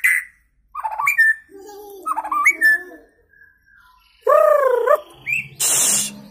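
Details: Young white-rumped shama just out of juvenile plumage, a kept bird groomed for contests, sings loud varied whistled phrases: clear rising and falling notes, a few buzzy bits, ending in a long looping slurred whistle and a short harsh burst.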